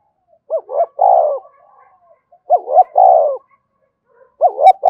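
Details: Spotted dove giving a standard lure call. Three repeated phrases, each a rising double note and a long buzzy falling coo, spaced about two seconds apart, with soft faint tones between them.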